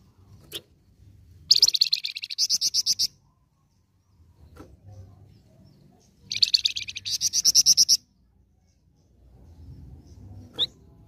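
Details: Lure song of a flamboyan bird in full voice: two separate bursts of fast, high, buzzy trilled notes, each lasting about one and a half seconds, with short sharp chips between them and quiet low hum.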